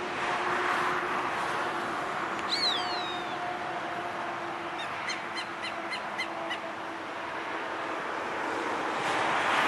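A roadside hawk gives a brief, thin, downslurred whine, then a quick burst of about six harsh, clipped notes, over a steady low engine hum.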